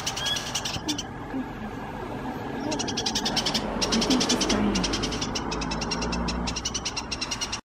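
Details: New Holland honeyeater at Cygnia Cove Wetlands, Waterford, Perth, late morning, 2 July 2020 (winter), calling at its reflection in a steel gate as if at a mate: loud, harsh, rapid chipping in bursts of several seconds, over rough broad noise.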